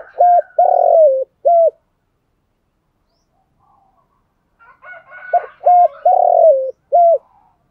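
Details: Spotted dove used as a decoy to lure wild doves, giving its four-part coo twice: a clipped opening note, level coo, long falling coo and closing coo, with faint higher calls from another bird between the phrases.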